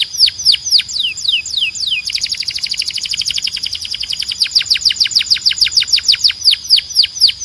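A Belgian canary sings a bright, high trill of rapid down-slurred notes, opening with slower sweeps before breaking into a fast, rolling chatter.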